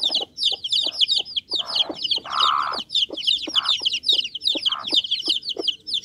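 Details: Young Bangkok chickens giving a dense stream of high, falling peeps from several chicks, with a few lower, rougher squawks mixed in.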